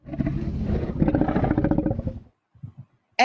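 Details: A revving motor vehicle engine for about two seconds, then a few soft knocks and a brief loud burst at the end, with no animal voice.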